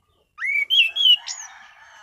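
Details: Orange-sided thrush giving a relaxed, clear ngeplong song: four loud whistled notes, the first rising, the middle ones slurred and level, the last sharply high, trailing into a soft rough tail.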